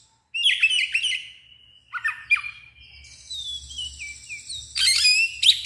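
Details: An agitated Oriental magpie-robin spreading its tail sings in a loud, continuous style, with sharp whistled slurs, drawn-out high notes and quick trills, over a low steady hum.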